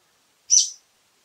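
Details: A single brief, harsh screech from a brown-eared bulbul, sharp at the start and fading over a third of a second, in otherwise silent surroundings.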